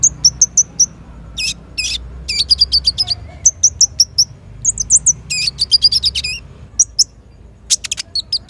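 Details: Sunbird (konin) in full active song, used to lure and tutor other sunbirds: sharp, high chirps and short rapid trills in quick bursts, some stuttered runs of ticks, with a faint low hum beneath.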